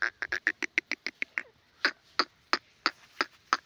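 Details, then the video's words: Grey francolin call used for trapping in Pakistan: a fast string of harsh, clipped notes that slows into evenly spaced louder calls, roughly fifteen notes across under four seconds. "teeter boli grey francolin video teetar shikar voice"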